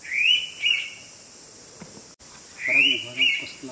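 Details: Indian pitta whistling near Keshavraj Temple, Konkan, its characteristic two-noted call given twice: a rising slurred whistle then a shorter note, repeated after about two seconds over constant insect hiss and a faint low hum.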